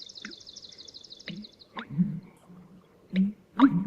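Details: American Bittern pumperlunk call, replayed: deep, low gulping pumps in short bursts toward the end, after a lazy, laid-back Swamp Sparrow trill in the background at the start.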